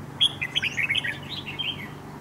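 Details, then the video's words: Red-whiskered bulbul used as a trap decoy for fighting, a wild-caught bird with a dark bib. A dense, lively run of chattering, warbled notes fills two seconds, loud at first, then softer. "Bẫy đấu chào mào"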